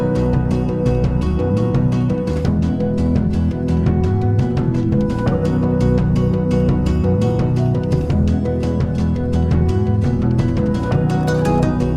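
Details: Steady instrumental background music with a low bass line and percussive beats, no animal voices.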